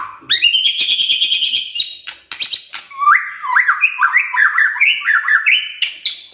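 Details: White-rumped shama singing kretekan, a style meant to stir up emotion: a long sweeping whistle, sharp clicks, then a quick run of stepped, crackling notes jumping up and down, loud and clear with no other sounds.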